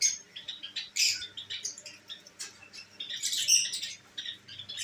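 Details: Lovebirds kept as pets, including albino red-eyed birds, produce continuous high, shrill chattering chirps in uneven bursts, with occasional sharper squeaks.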